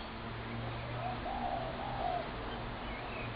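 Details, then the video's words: Spotted dove in a Brooklyn Park backyard where the birds are fed, 6 November 2016: one drawn-out, soft, low coo phrase with slight waver, over a steady low hum. "Spotted Dove Backyard Noise Disaster"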